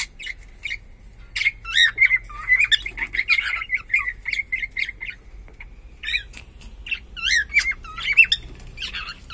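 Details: Pet cockatiel, sex unknown, mixing scratchy chatter with clear, looping whistles that swoop up and down, in two bursts separated by a quieter pause, with some wing or movement noise.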